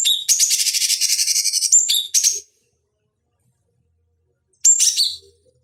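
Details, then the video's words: Master recording of a cucak cungkok bulbul for fighting-bird training: a fast, rasping, pulsed trill with whistled accents lasting over two seconds, then silence, then a brief buzzy burst with a whistle. "Masteran Pancingan Cucak Cungkok Ampuh Untuk Terapi Dan Masteran Burung Petarung"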